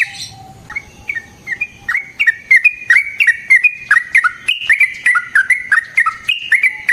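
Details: Yellow-vented bulbul in full song with rolls and cackling, played so other bulbuls answer: a soft low whistle, then a fast, busy run of bubbling chirps that jump up and down in pitch, growing louder.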